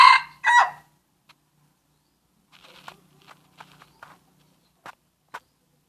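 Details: Junglefowl of Aceh, played to lure birds: two loud, hoarse, harmonic notes open the recording, followed by faint scattered clicks and taps in near silence.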